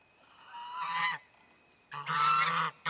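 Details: Four rescued geese honking excitedly on arrival at a sanctuary in February 2012, exploring a large pond and pasture; loud nasal, harmonic-rich honks, one long call near the start, then a sustained blaring honk and a short final one.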